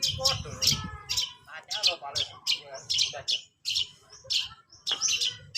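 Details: Long-tailed shrike, described as a bird learning to sing, gives a busy run of sharp high chirps and short harsh notes in quick bursts, over a steady low hum.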